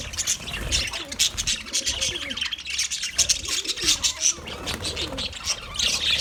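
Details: Steady chattering from a budgerigar colony, with many birds chirping at once in a rapid, scratchy stream of high notes.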